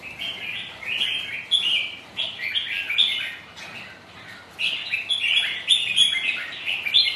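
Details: Competing red-whiskered bulbuls kept by a bird keeper sing against each other in wind and rain, with lively, looping whistled phrases in quick succession and a short lull midway.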